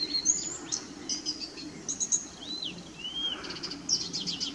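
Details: Song of a Blyth's reed warbler, RSPB Middleton Lakes, June 2021: high scratchy notes mixed with clear whistled arcs sliding down and up, ending in a quick repeated chatter, against a continuous low noise bed.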